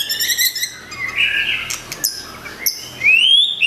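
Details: White-rumped shama with a curved tail, pouring out its song repertoire to call out a rival: bright chirps and rich harmonic notes, a buzzy middle phrase, then a clear rising whistle near the end.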